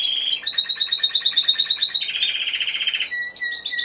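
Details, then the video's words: Competition Timbrado Español canary, single entry, singing on 26 November 2015: high sweeping notes drop into a fast pulsed roll, then a lower bubbling trill and a few separate chirps. "Έκθεση Καναρινιών Φωνής Timbrado Español"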